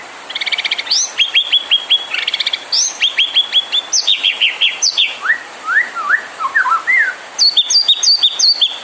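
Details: Lure recording of a white-rumped shama singing to provoke rival birds into song; rapid bursts of bright repeated notes, sharp high upslurs, then a string of slurred whistles ending in quick high chattering phrases.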